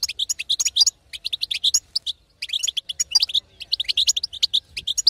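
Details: Female European goldfinch vocalising to encourage a silent male to sing; two bursts of fast high twittering separated by a short pause near two and a half seconds.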